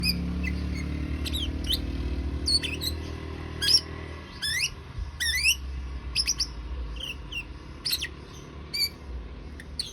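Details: Lovebird giving shrill chattering calls: sharp rising and falling squeaks and squawks scattered irregularly, some quick stacked notes, over a low engine-like hum during the first four seconds.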